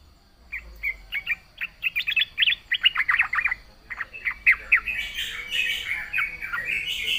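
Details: Yellow-vented bulbul pouring out a long, fast chatter of bubbly, chirping notes, the phrases crowding together into a continuous warbling flow toward the end.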